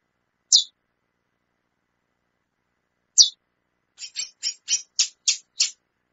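A female chestnut-bellied seed finch gives sharp, high chips, two single notes a few seconds apart, then a quick run of seven in under two seconds.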